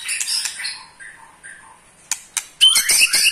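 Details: Eight-month-old captive white-rumped shama giving its ketrekan, said to provoke other shamas: scattered harsh, squawky notes and short whistles, then a burst of sharp clicks and high buzzy chatter at the end.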